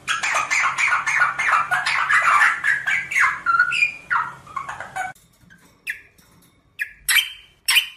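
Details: Rosella singing: a fast, busy run of chattering and slurred notes over a noisy background, easing into separate sharp whistles with pauses between them.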